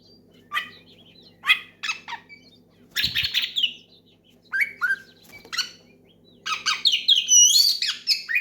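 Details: Loud oriental magpie-robin song used as a lure to set other birds singing; scattered short whistles and slurred notes, a harsh buzzy burst, then a long fluent high warbling phrase, with a brief thump and faint hum.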